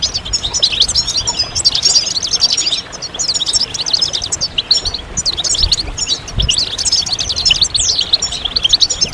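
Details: European goldfinches twitter as a group, a stimulation chorus of mating calls for male birds; busy, sparkling high-pitched chirps and quick trills pour out in waves with short dips, background otherwise clean.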